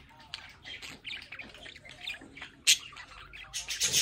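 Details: Domestic budgerigars at a home window give busy scratchy chattering and chirps, with two loud harsh squawk bursts near the end.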